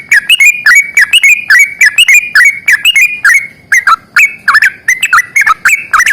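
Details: Sooty-headed bulbul singing a long rapid 'ropel panjang' in 'gacor tarung' fighting style, meant to prompt lazy birds to sing: loud, continuous bubbly phrases of quick rising and falling whistled notes, clipped at peaks, barely pausing.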